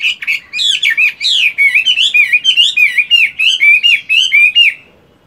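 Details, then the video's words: Morning singing practice from a moulting caged Chinese hwamei kept for fighting: a loud, rich, unbroken stream of varied whistled phrases with rising and falling slurs, then a sudden stop. "Chiến tam hoàng, luyện công buổi sáng!"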